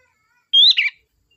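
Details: Sooty-headed bulbul used as a lure to call the flock: one bright whistled note sliding upward, then a short burbling, bubbly tail. Quiet background.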